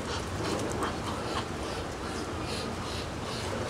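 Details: Male Muscovy ducks (drakes) give a soft, breathy hiss to attract a mate while bobbing their heads: a steady airy rasp with a few stronger puffs over a low rumble, with Boat-tailed Grackles sometimes interrupting.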